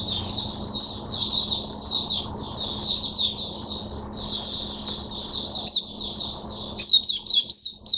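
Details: Singing caged Oriental white-eye, recorded 5 May 2022: an unbroken stream of high, rapid chattering warbles that turns into sharper, clipped notes toward the end, with a faint hum underneath.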